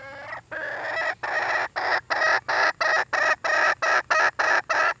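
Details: Hen red junglefowl calling for a mate, giving a steady run of loud, rasping, nasal notes, each about a quarter second long, repeated roughly three times a second with brief gaps.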